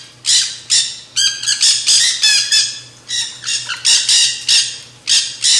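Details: Nanday parakeets, also called black-hooded parakeets, in a feeding frenzy at a backyard seed feeder. A nearly continuous string of loud, shrill, grating screeches, about a dozen in five seconds, some overlapping, over a soft background hum.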